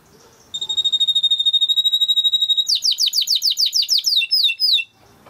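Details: Timbrado canary song used for training: a long steady whistled tone held for about two seconds, then a fast series of repeated descending notes, roughly three per second, ending abruptly in a quiet room.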